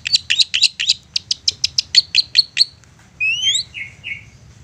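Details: Provoking lure song of a persistent long-tailed shrike: a rapid chattering run of about fifteen harsh notes, then rising slurred whistles and two falling buzzy notes.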